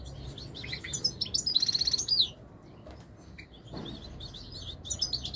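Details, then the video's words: European goldfinch song, a fast, liquid twittering of high, ringing notes and trills in a burst of over a second, followed by a pause and then more scattered tinkling phrases. "تغريد طائر الحسون الملكي 2021 / jilguero chant chardonneret"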